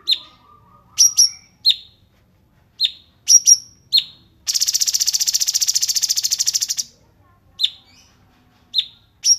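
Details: Cungkok 'rapat jeda' filler song for kept birds to imitate: scattered sharp high chirps with falling tails, interrupted by a long, even buzzing trill lasting over two seconds, then more chirps.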